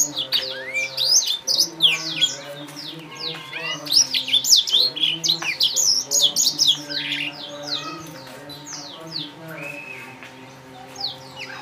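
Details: Young captive Blacktrout Somerini finch from a breeder, heard indoors with a rapid stream of clear, high chirps and short rising and falling whistles. Low, steady humming tones run underneath.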